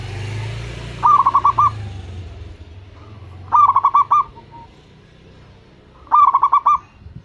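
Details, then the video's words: Local Indonesian zebra dove used as a lure to start other doves calling: three evenly spaced bursts of quick, bubbling coo notes, about three seconds apart, over a low background rumble. "perkutut lokal langsung gacor, sekali dengar suara burung perkutut ini bunyi"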